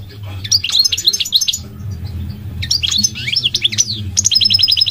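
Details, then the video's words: Two bursts of rapid goldfinch twittering, liquid chirps and slurred notes, the second ending in a quick repeated trill, over a low background hum. "The elegant migratory goldfinch sings the most beautiful singing"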